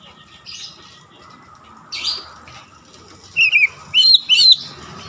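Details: Oriental magpie-robin singing to provoke rival magpie-robins: soft scratchy notes early, then a burst of three loud, bright whistled phrases near the end with quick rising and falling slides, against a steady faint hum.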